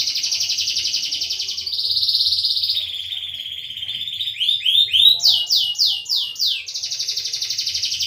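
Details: Canary in long, varied song, used to prompt silent canaries to sing. Buzzy rattling trills at shifting pitches are broken by a short series of sharp sweeping notes.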